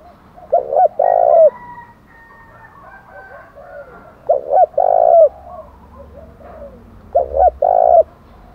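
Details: Spotted dove in the 'thổ đồng' voice giving challenge calls for fighting: three loud phrases about three seconds apart, each a stuttered double hoot plus a long low coo, with faint doves in between.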